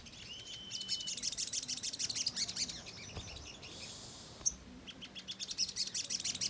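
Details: Ruby-cheeked sunbird in lively chattering song, played as a lure to provoke a response. A brief level whistle opens, then rapid high chirping bursts, a short pause, and more quick twittering toward the end.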